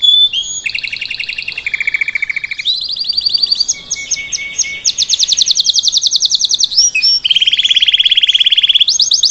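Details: Salsa canary singing to teach a young bird to sing: a long string of fast trilled tours, buzzy rolls and rapid repeated notes shifting between high and mid pitch, with clear pure whistles near the end.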